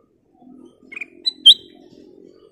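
A Black-crested bulbul gives three quick, bright whistled notes, the last loudest, over a low steady hum in the background.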